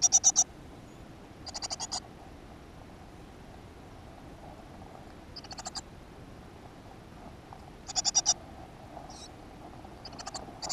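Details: Great tit at a nest box in a school garden on 7 June 2015: scattered short bursts of rasping pulses, about five over ten seconds, with long quiet stretches between.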